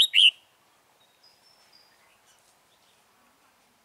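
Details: Red-whiskered bulbul of the 'Mí lửa' type, recorded during wild-bird trapping on 28 February 2017: one loud, bright two-part chirp at the start, then near-silence with faint, thin distant bird notes.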